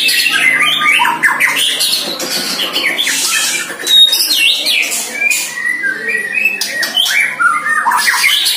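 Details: Young White-rumped shama, aged one year, trained against a neighbour's shama, delivering dense varied song of short whistles, harsh squawky bursts and quick chattering notes, with little pause between phrases.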